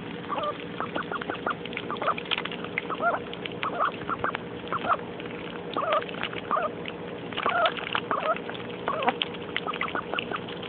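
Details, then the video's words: Young, excitable pet mallard duck, kept indoors at the time, playing in a muddy puddle; a steady stream of short, clipped calls, several per second, rising and falling in bursts, with a constant low hum beneath. "Happy Duckie super stoked about a Puddle !"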